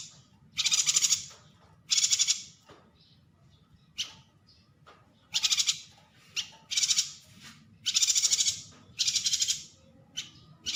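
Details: Yuhina repeating loud, scratchy, rapidly pulsed chatter bursts, about 48 per minute at an uneven pace, mixed with shorter single chips, against a quiet low hum.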